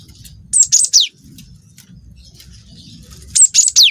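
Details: Brief canary-filled song of a cinereous tit: two bursts of very high whistled notes sliding sharply downward, separated by about two seconds of faint low noise.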